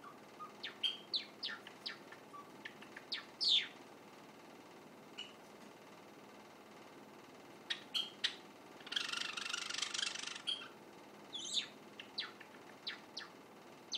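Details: Young white Java sparrow practising song indoors, filmed unnoticed: scattered thin chirps and clicks, a long quiet gap, then a brief hiss of noise followed by more sparse high notes.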